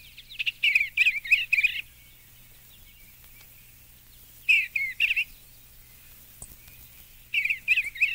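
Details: Eastern Bluebird song: repeated short bursts of soft, warbled, slurred whistles, several notes each, with pauses of two to three seconds between phrases and a faint steady hum.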